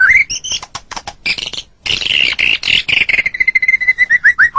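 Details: White-rumped shama (murai batu) master song for training songbirds: a rising whistle and scattered clicks, a brief pause, a harsh buzzy stretch, then a string of short, evenly spaced whistled notes that slide downward at the close.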